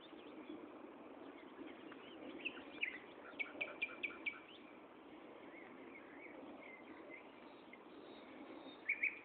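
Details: Common nightingale singing at Gaasperzoom on 16 May 2012 at 15:30, in the afternoon; scattered chirps and brief trills, with a quick run of repeated sharp notes near the middle and a bright flourish at the end, over steady background hiss.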